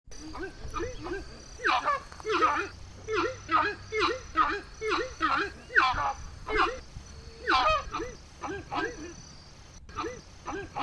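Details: Horned screamer calling: a loud series of deep, honking, rising-and-falling notes, repeated roughly once a second in uneven bursts, with some background rustle.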